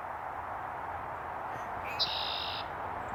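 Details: Red-winged blackbird, recorded with a Sony a7V camera, gives one song: a brief sharp introductory note, then a high, rasping buzzy trill of about half a second, heard against constant loud rushing background noise.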